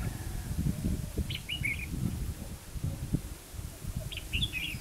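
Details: Red-whiskered bulbul at Hòa Mạc, Hà Nam, during trapping. Two quick warbled phrases of bright, dropping notes stand out above a constant low rumble of background noise.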